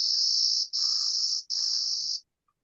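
A Clay-colored Sparrow gives three flat, high, insect-like buzzes, each lasting about two-thirds of a second with brief gaps between them.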